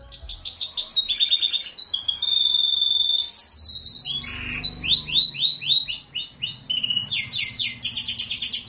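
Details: A tutored domestic Belgian canary sings a mimicry song, a fast, varied run of high chirps, trills and a long clear whistle, copying phrases from other bird species.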